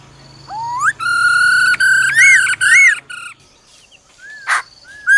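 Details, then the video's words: A female laughingthrush calls "ro ro" to stir up a male. A rising whistle leads into held harmonic notes with small arched inflections, then quieter scattered calls. "Khướu mái ro ro kích trống nhanh căng lửa"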